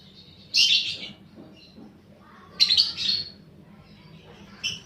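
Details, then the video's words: Paud balibu fighter lovebird on a lure recording used to stimulate fighting lovebirds: two harsh high chirping bursts about two seconds apart, then a faint short note. "pancingan burung lovebird paud balibu fighter mp3"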